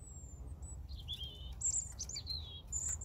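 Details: European robin song: a high, thin drawn-out whistle, then a sequence of clear whistled and trilled phrases, some rising and some falling, sung loudly above faint low background noise.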